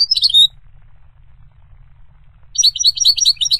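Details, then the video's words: Short burst of high goldfinch twittering, then a silent gap of two seconds, then a fresh rush of quick tinkling chirps; soft low hum throughout. "The Resonant Chirping of the Goldfinch Bird"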